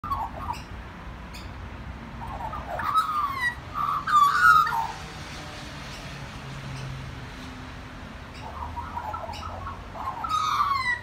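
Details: Magpie singing at a family home: short runs of warbled, slurred notes, rising and falling, in bursts around the middle and end, with quiet gaps between and a steady low background hum.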